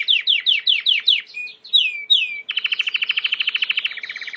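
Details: Timbrado canary singing for training: a chain of quick downswept chirps, two longer falling whistles, then a fast, steady pulsing trill that drops slightly in pitch.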